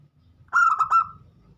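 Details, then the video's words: Single phrase from a local zebra dove singing as a lure for other birds: three fast, rolling cooing notes that run into a drawn-out fading coo, over a faint low hum. "pancingan burung perkutut lokal gacor yang lain pada ikut bunyi"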